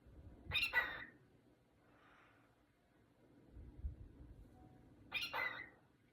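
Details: A cockatiel singing to a towel gives two brief, harsh, scratchy bursts a few seconds apart, with a soft warble between.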